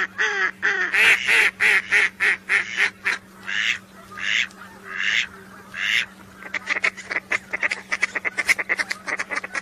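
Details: Whistling duck calls used as a hunting lure: rapid series of harsh, slightly whistled notes repeated about three times a second, ending in quick clipped chatter over a low steady hum.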